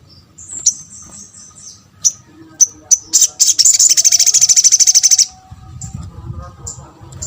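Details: Sunbird used as a lure for replies from other birds: thin whistled notes and sharp chips build into a rapid, even trill for about two seconds, then sparse chips and low rumble.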